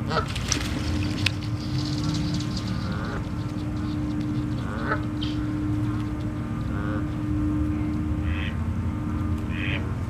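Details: Ducks near a frozen pond at Slater Park in winter, four days before Christmas, with geese and a squirrel nearby; short nasal quacks arrive singly every second or two over a steady low rumble and a constant hum.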